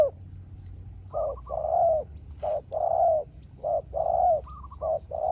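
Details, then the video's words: Spotted dove facing off with a rival wild dove: repeated paired coos, a short soft note then a fuller drawn-out one, roughly once a second over a faint rural background murmur. "เสียงนกเขาใหญ่ เจอนนกป่าเสียงเล็กคูดีคูสู้กันอยู่นานกว่าจะติดแลกกกันคนละทีทีีลุ้นมันเลย"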